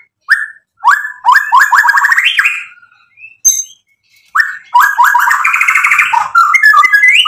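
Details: White-rumped shama in vigorous song to provoke a rival: rapid stuttering whistled notes climbing in pitch into a rolling trill, a short pause, then another fast rising trill and a few clear whistles.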